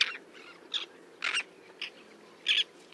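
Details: Roseate terns diving for fish off Hauxley, Northumberland, July 2012; harsh, grating single calls spaced about half a second apart, some doubled, over a faint steady background hiss.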